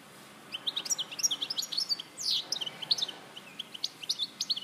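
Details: Goldfinch song from Larache in 2014: a rapid string of high, liquid twitters and chirps with a brief buzzy note midway, notes spaced irregularly but continuous.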